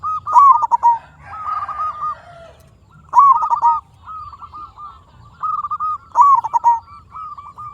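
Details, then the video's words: Lively local zebra dove whose song is meant to lure and excite other zebra doves into answering. Loud, clear phrases of a rising note and rapid stuttered coos repeat about every three seconds, with softer rolling coos between. "Perkutut Lokal Gacor RAJA PIKAT Ahlinya Bikin Semua Burung Perkutut Nyaut"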